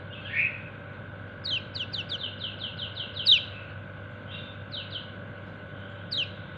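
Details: White-eye known locally as kecial kuning calling its mates: a fast run of about ten sharp high chirps, then scattered single 'ciak' notes, with a faint steady hum underneath.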